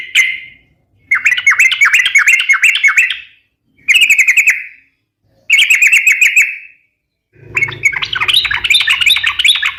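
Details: Vigorous yellow-vented bulbul song for luring and tutoring: four rapid bubbling chatter bursts with clear gaps between them, then a higher, jumbled warbling phrase over faint low rumbling.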